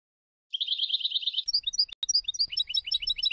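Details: Tunisian goldfinch singing in the Sfax style, recorded in 2022 for tutoring birds: a tight chattering trill followed by scattered sweet twittering notes, interrupted by two sharp clicks, with a low rumble in the background.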